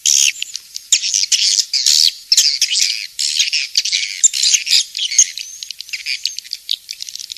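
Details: Swiftlets in the King's Star lure recording for swiftlet cultivation. A busy, shrill chorus of overlapping chirps and squeaky, buzzy notes comes in irregular bursts, fading somewhat toward the close.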